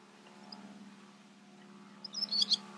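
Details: In May 2018 in the Camargue, France, a barn swallow (Hirundo rustica rustica) gives a quick burst of high, thin twittering call notes near the end, over a steady low mechanical hum.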